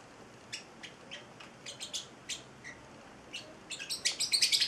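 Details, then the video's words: Young male Celestial parrotlet, eight weeks old, a pet bird: scattered faint high chirps over background hiss, building to a rapid run of louder, sharper chirps at the end. "Valentino, the Singing Parrotlet"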